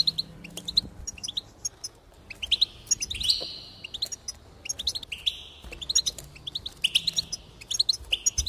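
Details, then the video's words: Goldfinch song to encourage singing: fast chirpy twitters interleaved with wheezy buzzing notes, phrases tumbling one after another over a quiet hum. "increase the enthusiasm of the goldfinch and encourage it to song"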